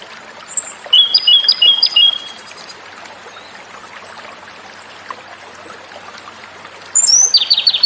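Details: Song of the Japanese robin, or komadori: a high piercing whistle leads into a fast run of stuttering mid-high notes lasting about two seconds. After a long pause, another phrase begins with a high whistle and a quick trill.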